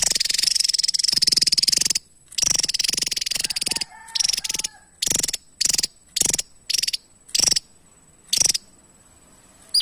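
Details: Javan tesia in full gacor song, a master recording for tutoring other songbirds: a long high, fast-pulsed buzzing trill, then progressively shorter bursts separated by pauses, each a dense rattle of sharp, thin notes.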